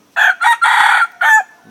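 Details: Decoy red junglefowl crowing to lure wild junglefowl at Sông Mã, Sơn La, Vietnam, 2019: a loud harsh crow in four parts, two short bursts, a long sustained middle note and a clipped final note, in a quiet background.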